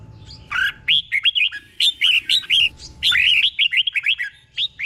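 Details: Caged red-whiskered bulbul in Thailand singing a training tutor song with doubled phrases: loud, rapid strings of chirpy whistled notes, steady bursts of five or six notes each, nearly continuous over a low background hum.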